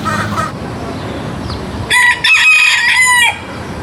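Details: Chicken making weird noises: after soft clucking, a loud, strained crow with a harsh, ringing tone that breaks off briefly, then carries on for over a second before stopping abruptly.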